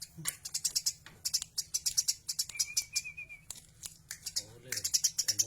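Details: Eurasian tree sparrow, a tame bird in full voice, pouring out rapid high chirps with a short wavering thin whistle midway and a faint voice underneath.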